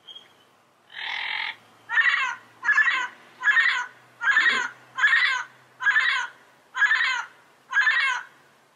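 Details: Harsh, nasal squawks from a yellow-headed amazon, nine rough calls repeated steadily at a little under one per second, the first slightly longer and more drawn out.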